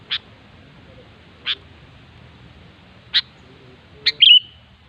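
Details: Wild sooty-headed bulbul with single sharp, clipped notes spaced over a second apart, ending in one brief bubbly warble with a trailing whistle, against steady low background hum.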